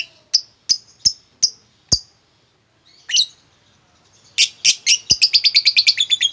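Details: Lovebird sounds meant to get a quiet lovebird singing: several separate sharp chirps with clicks, a brief squawk, then a quickening run of harsh repeated chattering notes.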